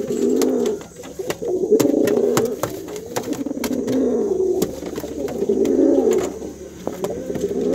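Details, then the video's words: Male brown pigeon calling a hen with steady, deep burbling coos that rise and fall in long rolling phrases, nearly continuous, with scattered clicking knocks behind. "SUARA MERPATI MEMANGGIL BETINA"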